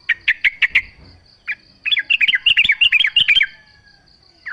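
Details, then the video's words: Yellow-vented bulbul singing, used as a lure so other bulbuls respond. Five sharp separate chirps open, then a rolling series of rising-falling gurgled notes. A soft steady high tone sounds throughout. "trucuk gacor full suara alam ampuh buat pancingan agar bunyi jadikan trucukmu gacor nyaut"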